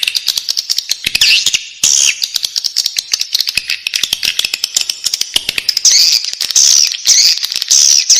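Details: Nestling swiftlets in a nest make a continuous rattling stream of high clicks, with louder wheezy, rising-and-falling rasps growing stronger toward the end.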